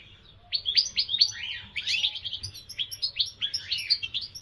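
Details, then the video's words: European goldfinch singing: a fast, bright twitter of high chirps and short rising and falling notes, tumbling in a continuous run after a quiet half-second start. "الحسون عشق لمحبي الطيور المغرده"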